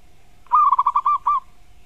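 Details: Champion master zebra dove singing to provoke a rival to answer: a quick burst of about six warbling cooing pulses, then one separate mellow coo, over a steady faint electrical hum.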